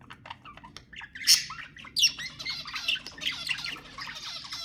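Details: Budgerigars warbling to encourage breeding: scattered chirps build into a loud squawk, then continuous scratchy chattering warble.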